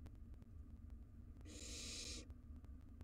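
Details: Wild barn owl nestlings in a monitored nest box fighting over a mouse; a single harsh, breathy hissing screech lasting under a second, rising out of a steady low hum and faint ticking.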